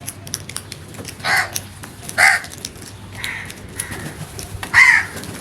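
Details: Crows calling with several harsh, broadband caws spaced irregularly about a second apart, some fainter and more distant, over a low background hum and scattered clicks.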